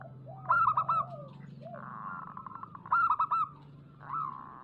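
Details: Zebra dove song used as a lure for local doves: two groups of quick staccato coo notes, each followed by a drawn-out trembling coo, over steady low hum.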